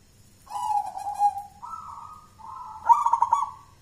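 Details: Champion contest zebra dove, a wild-born local bird from Mojopahit in Java raised by hand since young: a mellow coo rising in steps, then a rolling vibrating burst closing the phrase.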